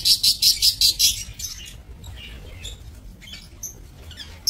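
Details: Lovebirds kept for breeding in an aviary, recorded 22 November 2024: a fast series of about six high, shrill chirps in the first second, then softer scattered high chips and background rustling.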